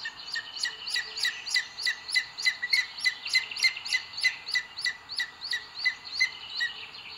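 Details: Booted eagle pair at the nest, Sierra de Guadarrama, Spain, 2 June 2022, the male delivering food to the female, on a live nest camera: a long, even run of sharp, high whistled notes, roughly three per second, over constant hiss.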